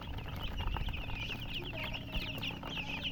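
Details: A brood of coloured chicks peeping steadily, shrill little chirps repeated many times a second with a few louder peeps standing out above a low hum.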